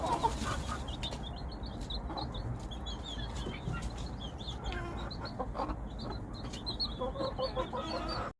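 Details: A hen calling her chicks gives occasional low clucks in a noisy setting, while faint high peeping from the chicks runs through most of the recording.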